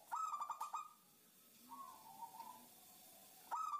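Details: Female zebra dove calling to a male, meant to coax other doves into calling: a fast burst of clipped coos, a softer drawn-out lower coo, then another burst starting at the end.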